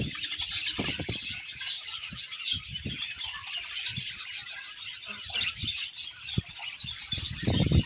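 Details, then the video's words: Budgies chirping in a happy colony, a busy layer of high warbles and tweets over repeated soft low thumps and knocks from the surroundings. "Budgie birds Happy Colony Chirping"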